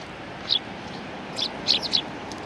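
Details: Sparrows feeding at a Tenmangu shrine on 19 April 2019, identified as Eurasian tree sparrows. A single high chirp is followed after a pause by three more quick, bright chirps over soft background noise.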